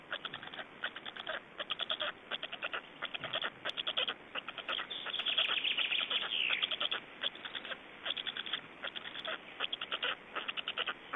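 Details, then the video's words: Feeding-time recording of black storks in Estonia, 25.05.2012. Long run of quick, grating staccato notes in clustered bursts, interrupted midway by a louder, smeared wheezing call before the clipped pulses resume. "Estonian Black Storks - Feeding"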